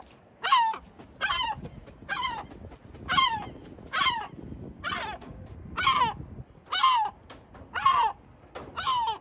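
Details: Sea gull calling in Batumi, Georgia: a string of harsh, nasal downslurred squawks, about one per second, with a steady low background rumble.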